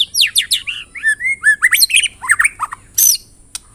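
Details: White-rumped shama singing a pancingan, a lure song used to provoke other shamas into singing: rich, fast phrases of rising and falling whistles, slurred notes and sharp chips, with a brief harsh burst near the end.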